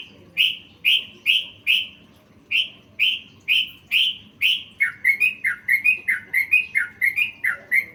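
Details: Yellow-vented bulbul in full isian song, filled with learned phrases, for training songbirds: a run of sharp, falling chirps about every half second, then a quicker series of lower, rising-falling notes.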